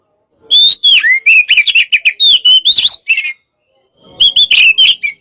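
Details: White-rumped shama of the hot type, challenging in a pacingan: a rolling run of quick whistles and chips wavering up and down, a short break, then another lively burst.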